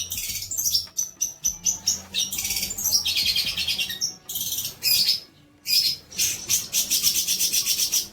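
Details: Long-tailed shrike singing as tutor material for young birds: a dense, harsh high chatter of scratchy bursts threaded with thin, sustained whistled notes, with one short pause in the middle.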